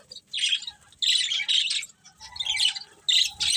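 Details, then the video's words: Pet budgies give four loud bursts of harsh, buzzy chirping chatter, each lasting about half a second, with brief quiet gaps and a soft lower warble between. "Cute Budgies Chirping Sounds"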